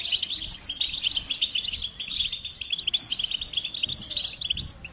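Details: A goldfinch twitters energetically, stringing tinkling chirps and rolling trills into an unbroken high-pitched warble.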